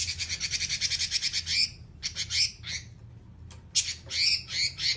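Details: An actively singing robin (red-billed leiothrix) delivers a long 'nyerecet' rattle, a fast even string of rasping notes for nearly two seconds. Choppier buzzy bursts follow, then another scratchy high run. A low hum sits underneath.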